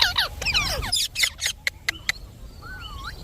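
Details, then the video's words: Indian ringneck parakeet talking as a pet: a dense flurry of squeaky sliding syllables, then a few sharp clicks and a soft drawn-out wavering whistle. "Talking parrot video|Ringnek parrot video"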